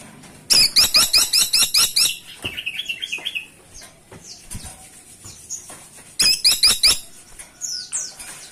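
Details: Caladi tikotok woodpecker calling actively and loudly: a fast string of about nine sharp, grating high notes, then a softer chattering trill, and later a second burst of harsh notes among faint chirps.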